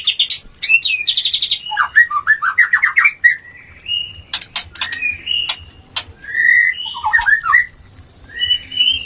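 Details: White-rumped shama mating song used as therapy to stir breeding urge: a rich, varied run of rapid trills, fluty whistled phrases rising and falling, sharp clicks and buzzy notes, delivered in quick bursts with short gaps.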